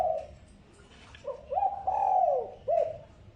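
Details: Spotted dove lure call used to attract wild doves: soft low cooing notes, a short coo followed by a longer drawn-out coo and a final brief note, over quiet background hiss.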